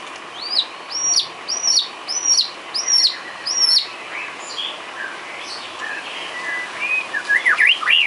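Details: Isian song of the white-rumped shama, meant for training cage birds: a series of high arched whistled notes repeated roughly every half second, followed by a varied run of lower twitters and a fast zigzag whistled flourish.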